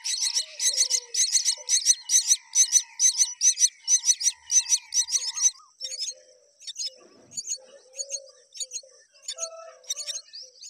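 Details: Myna feeding its young: rapid rhythmic bursts of shrill, buzzy begging chatter about twice a second for five seconds, then sparser scattered chirps and faint low notes.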